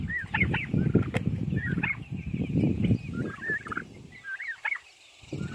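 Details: Young Narragansett turkeys, heard in the morning before breakfast, give high, rising and falling yelps and peeps in quick, irregular bursts over a steady low rumble of background noise.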